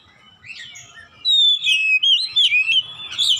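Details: Oriental magpie-robin, a caged-bird training recording in 'ngeplong gacor' style: soft warbles, then a loud falling whistle followed by quick rising-and-falling whistled notes in steady succession.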